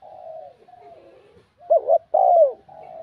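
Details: Spotted dove with a ringing, bell-like voice, cooing to stir rival males: soft low coos, then one loud phrase of a quick double note and a long falling coo, ending on a quieter drawn-out note.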